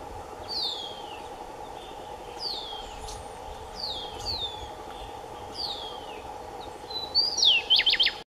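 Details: A collared towhee (Pipilo ocai) gives thin, down-slurred whistled calls about every two seconds, ending in a quick burst of sharp chips, over a steady droning background; Colima, Mexico.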